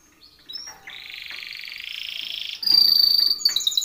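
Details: Timbrado canary singing a training song: a sustained buzzy rolled trill that builds in volume, then breaks into loud, high, ringing whistled rolls.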